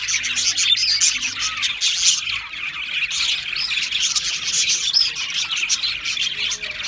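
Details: Many Australian parrots chirping at once, a thick, unbroken mass of high twittering and scratchy warbles that rises and falls slightly in loudness.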